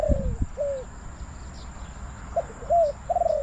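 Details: Decoy spotted dove calling wild birds at a Bang Li trapping spot. A drawn-out falling coo, a pause, then another phrase of a short clipped note and arched coos. Low thumps appear at the start.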